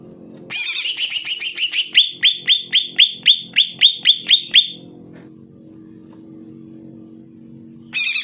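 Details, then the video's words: Active singing of a greater green leafbird, kept to prompt reluctant leafbirds: a dense chattering start gives way to a rapid string of sharp, evenly spaced high chips, about four per second, stopping abruptly into silence before another burst. "CUCAK IJO GACOR, COCOK BUAT PANCINGAN CUCAK IJO MALES BUNYI"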